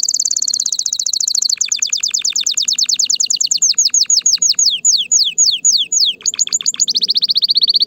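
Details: Loud canary song meant to stimulate mating: a dense high trill slowing into evenly spaced notes, then distinct descending slurred whistles about three per second, ending in a fast buzzy roll.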